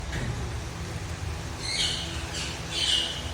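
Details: A raw (untrained) Alexandrine parakeet gives three harsh, grating squawks about half a second apart over a low background rumble.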